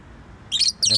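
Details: Pet bird uttering two quick, high, slightly buzzy chirps in close succession.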